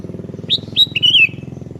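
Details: Sooty-headed bulbul (kutilang kebo) singing actively, calling to a rival that answers; one short phrase of three clear whistled notes, the last sliding downward, over a steady low hum.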